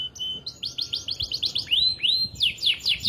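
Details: Atlantic canary of the AF type, singing vigorously: fast high buzzy trills of repeated notes, then slurred downward-sweeping whistles and rapid chirping series, lively and continuous, with no other clear sounds.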